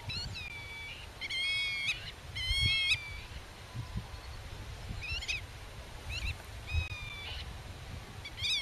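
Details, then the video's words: Black-tailed godwit defending the nest area while its chicks hide in the grass: clusters of nasal drawn calls and quick bent notes, irregularly spaced, with wind rumble beneath. "Rycyk w obronie gniazda - Limosa limosa"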